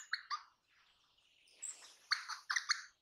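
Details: Crimson rosella (Platycercus elegans), a parrot, gives two sharp clipped notes, then a soft, scratchy murmur, then a cluster of four or five quick, bright, ringing chips near the end.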